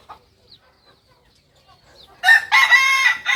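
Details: Singing Kukuak balenggek rooster of Solok, West Sumatra: near silence with scattered faint chirps, then from about two seconds a loud, rich crow broken into several stepped segments.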